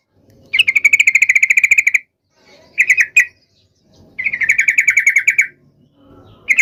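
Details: Yellow-vented bulbul delivering a heated fighting song to goad other birds into answering. Rapid trilled rattles of even notes come in bursts of over a second, with a short chirpy phrase between them.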